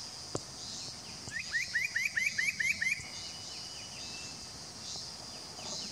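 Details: A spot-breasted parrotbill recorded at Doi Lang, Fang, Thailand, on 25 March 2017 delivers seven quick rising whistled notes, then falls silent while a high insect drone and faint bird notes continue.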